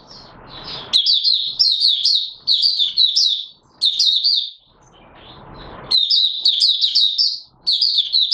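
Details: Oriental white-eye, 'buka sing' opening song, 24 March 2022: after soft background noise, long runs of high, fast, sweet warbling twitters in looping phrases, with a quieter noisy pause midway.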